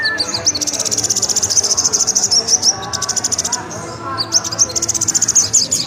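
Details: Kolibri ninja sunbird in rapid, unbroken song: a dense, very high, shimmering trill of quick ticks with a short pause in the middle, then high squeaky twitters as the trill resumes, over faint speech and music.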